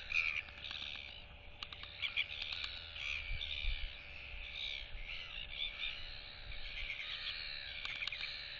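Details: Young royal albatross chick displaying to two neighbouring chicks at their nests, turning its head side to side. High, harmonic whistled notes waver and overlap throughout, with sharp bill clacks from the neighbours and a steady low hum beneath.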